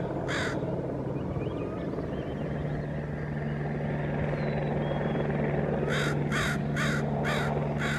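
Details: Northwestern crow in the Squamish River Estuary, British Columbia, giving one harsh, hoarse caw, then a quick run of five about half a second apart, over a steady low hum.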